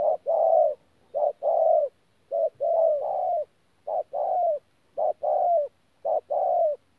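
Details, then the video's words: Wild-caught spotted dove performing 'thổ pha gù' cooing, Tu Mơ Rông, January 2019: six quick phrases, each a brief pip then a longer downslurred coo, delivered steadily about once per second in near silence. "BỔI THỔ PHA GÙ QUÁ TỐT"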